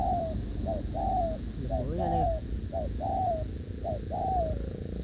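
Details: Wild-caught short-legged spotted dove cooing alongside a decoy bird; low paired coos, short then long and falling, repeat over strong background noise, with a brief human voice partway through.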